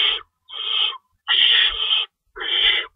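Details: Owl at the nest during a feeding time at 3:53 AM on March 25, 2012, with two rabbits stored in the pantry. Four harsh, hissing, broadband bursts, each lasting about half a second, are separated by short silences.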